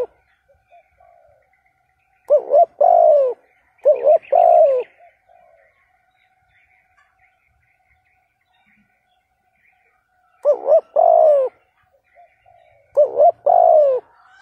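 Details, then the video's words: Spotted dove decoy used to provoke a rival: paired phrases of a double hoot and a longer falling coo, heard in two clusters separated by a long silent stretch. "Tiếng chim cu gáy kích bổi hiệu quả bài bản thúc gù"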